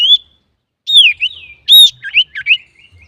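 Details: Male common iora singing lively varied song, used as a lure to provoke other birds: clear whistled notes, some slurred downward, in short bursts with brief pauses.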